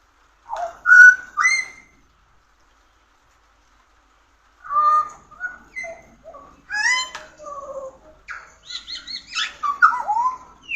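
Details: Pied butcherbird singing: rich, fluting whistled notes, some rising and some falling, in two bursts separated by a pause of about three seconds. The second phrase is longer, with quick varied notes and brief higher chirps.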